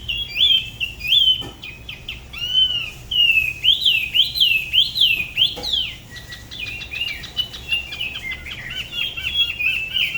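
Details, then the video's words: Spot-throated babbler from the La Ba river area near Da Lat, singing solo in a style unlike birds of other regions: clear whistled notes, rising and falling arcs, then a fast run of short repeated chirps. "Tiểu mi La Bá hót solo/ Spot-throated Babbler the best solo La Ba river"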